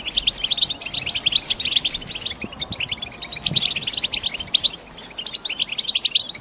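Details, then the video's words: Caged female European goldfinches chattering to stimulate a male's song before mating season: dense bursts of high, buzzy twitters, easing briefly around five seconds, then quick sharp chirps return. "بتبتة الإنات لتحفيز حسونك و كسر صمته وجعله يرقص من الغناء"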